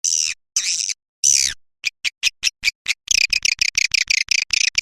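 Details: Lure call for drawing in swiftlets: three long buzzy high trills, then sharp separate clicks speeding up into a fast, even train of high chirping pulses.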